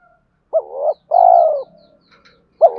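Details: Lure spotted dove cooing to incite fighting and to call a mate for stubborn wild-caught birds: a short swelling note, then a long, even, hollow coo. A new phrase begins at the end, over faint, scattered, high ticks.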